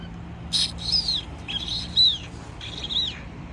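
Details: A sulphur-crested cockatoo in Newcastle, Australia, gives three harsh, grating screeches, each about half a second long and roughly a second apart, over a faint low hum.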